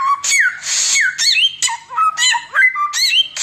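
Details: Oriental magpie-robin singing nonstop in the tembakan style, used to tutor other birds: loud clear whistles sliding down, mixed with harsh hissing bursts and short rising notes, in quick varied phrases.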